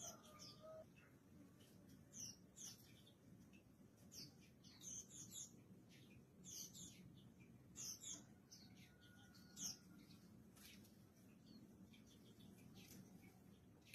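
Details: Mountain white-eye during morning sunning; busy high, thin chirps and short twittering phrases in quick bursts every second or so, over a steady low background hum.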